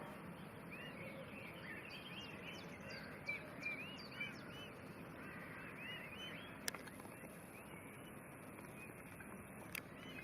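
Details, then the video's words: Blue and pastel blue Fischer's lovebird females separated from their males, chirping in rapid overlapping bursts of short arched notes, with two sharp clicks and constant low background noise. "bird Chirping Sounds - Blue Fischer & Pastel Blue Fischer"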